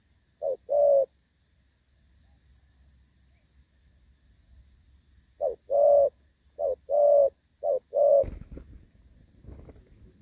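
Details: Spotted dove, moulting yet still singing the Thổ Pha style, dated 3 June 2024: a short-long coo pair, a pause of several seconds, then three more quick short-long pairs, ending in a brief rustle or knock.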